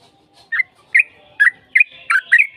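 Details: Sooty-headed bulbul, fighting-style lure song to provoke an answer: six short rich chirps spaced about half a second apart, the last ones running into a thin trailing whistle.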